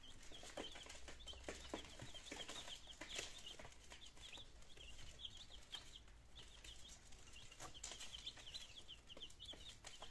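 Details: A brood of nineteen healthy chicken chicks on day two, attempting to eat and drink, recorded in Germany on 17 September 2022; continuous chattering high peeps in quick runs, with clicking pecks and faint low hum.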